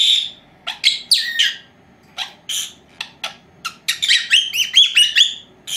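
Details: Female lovebirds, a pair aged four months, at home during nap time, chattering with scattered sharp chirps that speed into a dense run of rapid warbling notes near the end.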